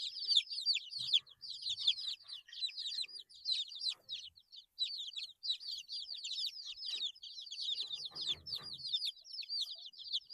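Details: A group of eight-day-old baby chicks keeps up a continuous shrill peeping, countless short falling chirps layered densely, with a short rustle partway through.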